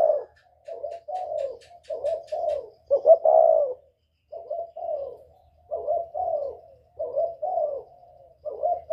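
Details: Northern Vietnamese spotted dove with whistle-like voice, calling to lure wild birds: repeated groups of soft, low coos, several short notes then a longer swelling one, with brief pauses between phrases.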